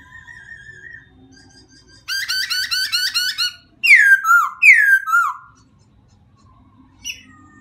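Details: White-crested laughingthrush producing a dense burst of rapid chattering notes, then two loud downslurred whistled phrases, with quieter notes before and after.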